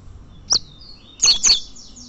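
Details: Champion Double-collared seedeater in fibra tournament style: one sharp high note followed by two loud, buzzy, high-pitched bursts in quick succession, with faint thin trailing notes and a quiet background.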